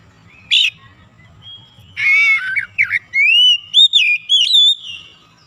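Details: Oriental magpie-robin (kacer), a lazy singer being trained to sing freely: a single harsh chip, a short silence, then a rich run of slurred whistles that rise and fall, ending on a bright upward flourish.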